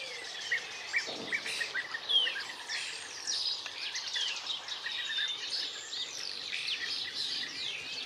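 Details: European bee-eaters in Extremadura, Spain: scattered slurred, rippling notes, some sweeping up and others down, heard among a busy background of high twittering and steady outdoor noise.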